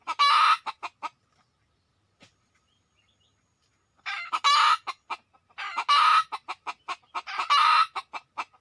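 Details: Red junglefowl in the wild: a few clucks, a long quiet stretch, then several loud harsh crowing bursts mixed with quick repeated clucks.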